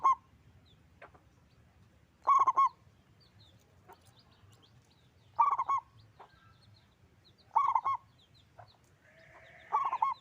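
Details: Local zebra dove, a prolific singer with a big voice: short bursts of rapid, pulsed low cooing notes, each about half a second long, repeated five times roughly every two to three seconds, with faint high chirps from other small birds.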